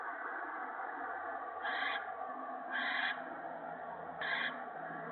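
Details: Owl at a nest while an adult feeds a gopher to the owlets on a March 2017 evening; three rasping, breathy screeches about a second apart, each under half a second, with constant background hum.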